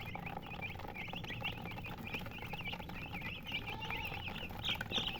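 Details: Hen chicken (murgi) chirping: a steady stream of quick, wavering high chirps repeating throughout, set over constant broadband background hiss and low rumble.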